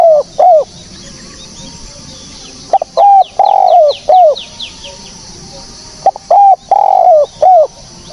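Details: Repeated phrases of a spotted dove used as a bird-catching lure, each a brief note, a long even coo and a falling closing coo, spaced a few seconds apart, with a run of thin high chirps from another bird between them.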